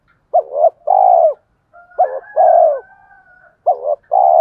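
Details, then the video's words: Spotted dove used as a decoy to provoke wild rivals into fighting, thổ pha style: repeated two-part coos, a short broken note leading into a drawn-out mellow coo, with one faint high steady whistle-like tone in between. "cu gáy giọng thổ pha kích bổi trống nhanh gáy, bổi ngoài rùng nghe nhanh về cội đấu với mồi"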